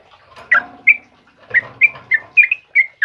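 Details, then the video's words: Sooty-headed bulbul, trucukan kebo, singing in the morning: about ten clear chirped whistles, some paired, over light rustling and low fluttering noise. "suara burung trucukan GACOR PAGI HARI"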